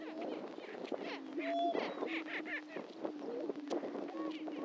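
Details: Greater prairie-chickens calling together at a historic lek in Hatfield, Missouri, on Dunn Ranch Prairie: low sustained hooting with a loud whooping note near the middle and busy cackles throughout.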